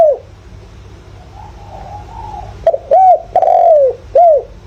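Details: Spotted dove decoy calling to stimulate wild birds, 'giọng thổ' voice; faint low cooing, then a loud phrase: short note, arched coo, long falling coo and a short final coo.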